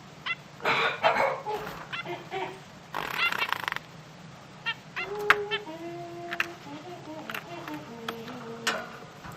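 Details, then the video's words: Zebra finch chicks, three young birds, produce nasal buzzy calls and wavering harmonic notes after loud rustling bursts, the calls growing busier and overlapping toward the end. "bébé oiseaux mandarin"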